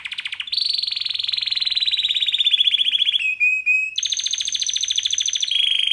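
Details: Singing canary, a pet male: long rapid trills held at steady pitch, switching between tours, with a brief pair of pure whistled notes in the middle and a high trill at the end.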